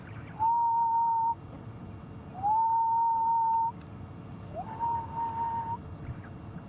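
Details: At sunset after a hot day on a safari drive, a Grey-headed Bushshrike gives three long, mournful, level whistles, each swelling at the start and about a second long, spaced roughly two seconds apart, over a faint low hum.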